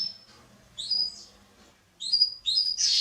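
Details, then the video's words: A canary, used in a training video for young birds, sings: a held high whistle, then bright, sliding whistled phrases in quick bursts, the last swelling into a fuller, harsher note, over a faint low hum. "CANARY SINGING - Serinus canaria | كناري | canarios"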